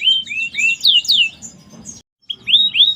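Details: Merlok canary delivering twisting whistled phrases with upslurred and downslurred notes, a brief gap, then two more rising whistles.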